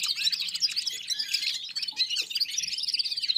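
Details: Several red-fronted serins singing together alongside other birds, warming up: continuous, fast, tinkling high twittering with no pauses, a busy overlapping chorus.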